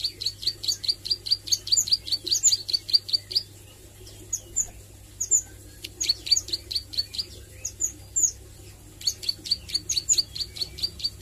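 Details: Plain prinia, a young bird learning its song in the nglagu and nembak styles: bursts of sharp, high ticking notes repeated rapidly in runs of several seconds, with short pauses between runs and a faint low hum beneath.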